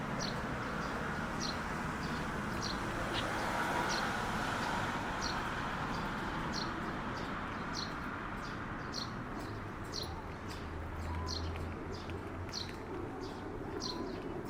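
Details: Sparrows by the Kanzaki River, short high chirps repeated steadily about three times a second over a constant low roar of traffic or wind.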